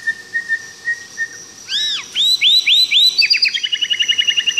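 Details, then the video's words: White-rumped shama from Tangse, Aceh: soft low whistles, then loud arching whistled notes, ending in a fast series of short repeated chirps. "Suara Asli Murai Batu Tangse Aceh"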